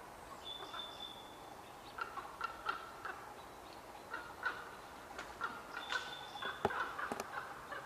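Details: Common ravens, a pair hidden in trees at Qualicum Beach, May 23, 2011, chattering now and then in a somewhat contentious exchange. Scattered clucking, knocking notes come in short runs, with a long high whistle from another bird early and late.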